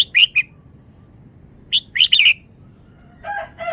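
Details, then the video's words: Red-whiskered bulbul, a Vietnamese bird, in rapid song: quick bright chirped notes, then a loud three-note warbled phrase, ending with lower harsh buzzy notes. "นกกรงหัวจุก จ้าวมาเฮง นกเวียดนาม ร้องรัวรัว"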